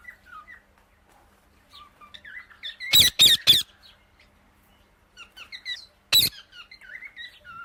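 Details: Indian ringneck parakeet giving soft whistled and squeaky chirps, some falling, interrupted by a burst of three loud harsh screeches near three seconds and another single screech past six seconds.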